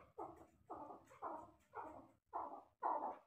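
A male chukar gives harsh, throaty clucks, about two a second, six in quick succession, each a rough burst with no other sounds.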